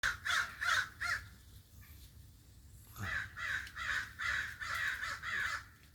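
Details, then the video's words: Crow calling in a fast run of short harsh caws, about a dozen strokes: four at the start, a pause with faint low rumble, then a steady series of hoarse repeated notes to the end. "original sounds of the crow's"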